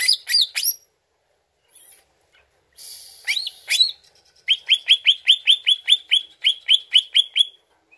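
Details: Song of the greater green leafbird played to lure the bird into answering: a few sharp chirps and a buzzy note, then a steady series of about fifteen repeated upward-flicking notes.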